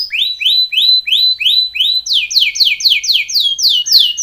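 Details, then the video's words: A Belgian canary sings a training song, a rapid tour of repeated whistled notes: falling slurs around five per second, then higher, sharper down-slurred notes at the same quick pace. "BEST canary singing / CANTO CANARIO CANTANDO FOR TRAINING / CANARY TRAINING SONG"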